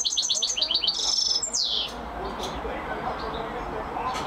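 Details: European goldfinch singing at the start, a fast run of tinkling twittered notes followed by a buzzy trill and a sliding descending phrase, then fading into low background hiss with faint scattered chirps.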